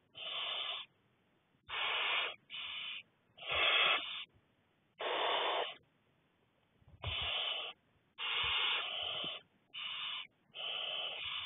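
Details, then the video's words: Six barn owlets being fed by an adult on 2 May 2020 give harsh, breathy hissing screeches, each about half a second to a second long, several overlapping in quick, irregular succession. "All 6 Barn Owlets Being Fed"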